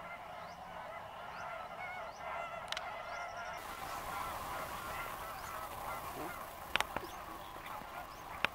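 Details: Thousands of greater flamingos feeding in lagoons on Mannar Island, Sri Lanka, in the dry season; steady nasal honking chatter throughout, with sharp clicks or splashes near the end.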